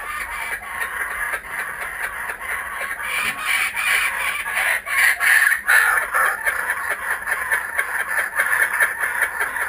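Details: A group of kookaburras back at a home, recorded with GoPro Hero 3D and Fujifilm W3 cameras, produces continuous rough chuckling that swells midway into louder laughing phrases before settling into steady chatter.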